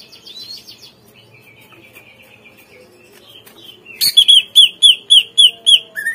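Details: Greater green leafbird song used as a lure to make captive birds respond and sing: faint thin whistles and a level buzzy trill at first, then a loud run of rapid repeated slurred whistled notes near the end.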